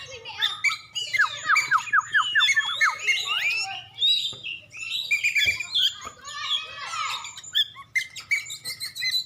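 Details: White-rumped shama, a contest-champion bird from Aceh, singing a rich varied song: rapid series of descending whistled notes, then tumbling chattering phrases and sharp high chips, with a steady low hum beneath.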